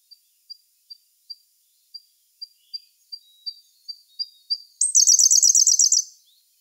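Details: Siberian blue robin singing in May 2021, recorded with a Sony A1 camera: a string of thin, high ticking notes speeds up and grows louder, then breaks into a loud, fast, dry trill lasting over a second.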